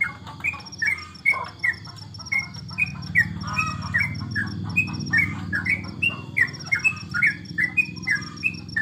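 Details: Yellow-vented bulbul, locally trucukan, kept at home during the Corona pause in bird competitions, delivering busy strings of quick liquid chirps and slurred notes, nearly three a second, with a low rumbling hum and a continuous high-pitched ticking behind.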